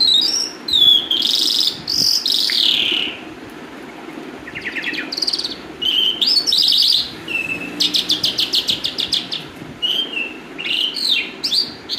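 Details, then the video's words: Calandra lark song: rich scratchy phrases, descending whistles, and dense rattles of rapidly repeated high notes, flowing almost continuously with brief gaps; no other sounds stand out. "Toun jal lark clandra singing bird"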